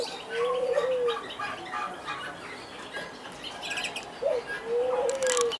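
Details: A Barbary dove (possibly domestic Streptopelia risoria) displaying in an aviary at a city farm in Alkmaar, Holland, gives two low, drawn-out rolling coos that swell and fall, a few seconds apart, with brief rustling bursts between them.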